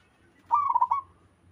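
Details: Single cooing phrase from a wild local Zebra Dove: a fast, staccato run of soft rolling notes lasting about half a second, with a quiet low hum behind it.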